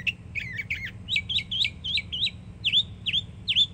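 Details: Florida yearling Northern mockingbird in full song: a series of quick doubled chirps, then jerky zigzag notes, ending in three loud V-shaped slurred whistles spaced about a third of a second apart, with low background rumble.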